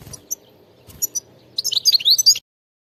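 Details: Wild European goldfinch singing: a few sharp high ticks, then a rapid twittering run of buzzy, tinkling notes sweeping between high pitches, ending abruptly after about a second of song.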